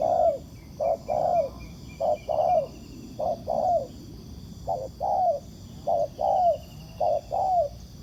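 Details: Wild spotted dove cooing back at a ground decoy during trapping. Low, mellow coos come in pairs, a short note then a longer falling one, about six pairs over eight seconds against a quiet hiss.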